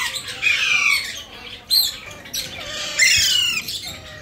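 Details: Alexander talking parrot, an Indian ringneck; rasping high screeches and short descending squawks in four loud bursts, with quieter chatter between them.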